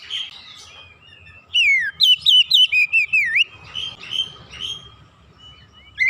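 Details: Oriental magpie-robin, prompted by a lure, singing in gacor style: a run of about seven loud, swooping whistled notes repeated rapidly, then softer scattered whistles over a steady low background hum.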